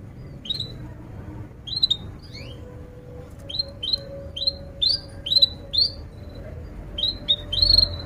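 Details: Canary giving a long, excited song used as a lure to teach young canaries to sing and to restart silent ones: scattered short upward chirps and sharp tweets with gaps, over a low steady hum.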